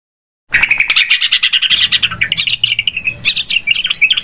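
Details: Yellow-vented bulbul lure call used for trapping, described as very noisy: dense, rapid chattering and chirping notes, bright and busy, in quick uneven bursts after a brief silence at the start.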